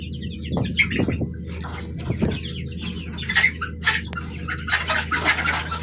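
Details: Baby chicks, dyed in bright colours, chirping: many short high descending peeps overlap in a busy chorus, with a few louder lower notes early on, all over a constant low electrical hum.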